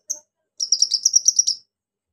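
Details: Brief, clean burst of rapid high trilled notes from a pygmy cupwing (konin), preceded by a single short chip.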